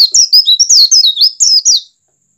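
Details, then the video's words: Oriental white-eye in 'open beak' song, said to encourage other white-eyes to sing: a loud, fast, continuous warble of sweet sliding high notes lasting under two seconds, then silence. "PLECI BUKA PARUH cepat merangsang pleci agar ikut buka paruh."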